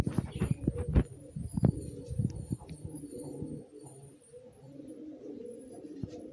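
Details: Young racing pigeons of 2022 in a garden in summer, flying, foraging, bathing and sunning, give low, soft, throaty coos mixed with scattered thumps and flutters from birds moving close by.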